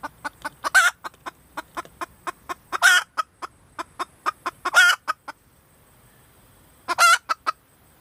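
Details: A female red junglefowl gives quick repeated clucks mixed with four loud, harsh, drawn-out squawks, then falls quiet briefly before resuming.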